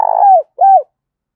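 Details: End of a decoy spotted dove's trapping lure call: a drawn-out burry coo sliding downward, then one rounded falling coo, followed by quiet.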